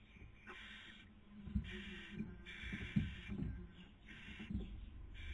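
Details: Barn owl pair at the nest, Cabañeros National Park, Spain, 2020 breeding season, female feeding and male trying to sleep; a string of rasping, hissing screeches, some drawn out, with soft knocks and thumps between them.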